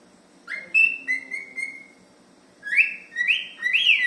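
A cockatiel whistles clear, sustained notes, then a run of swooping, rising whistles.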